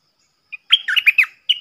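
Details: Caged bulbul acting as one of four decoys in the forest: a brief chirp, then a run of four or five quick, liquid warbled notes, and a final chirp.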